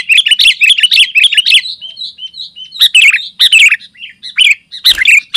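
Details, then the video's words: Sooty-headed bulbul singing densely, a recording used to call other bulbuls and teach caged birds; rapid chirped notes, a brief level whistle, then spaced bubbly phrases. "Suara Burung Kutilang Gacor Rapat Menekan Lawan Paling Ampuh untuk Suara Panggilan dan Masteran"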